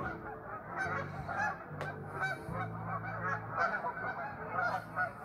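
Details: Restless geese in a flock, honking continuously in a dense, overlapping chorus of harsh nasal calls, with a steady low hum running beneath and a brief sharp click near the two-second mark.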